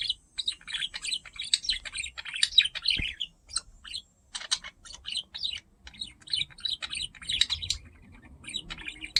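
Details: Curious pet budgerigar investigating a camera, chattering steadily in quick high chirps and warbled notes with short pauses between the phrases.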